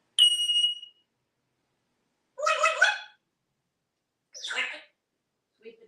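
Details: Indoor pet parrot from Texas, hatched in 1997, wearing a collar and chatting near mealtime: a sharp high whistle opens, followed by two raspy, speech-like bursts a couple of seconds apart, and a faint low sound at the end.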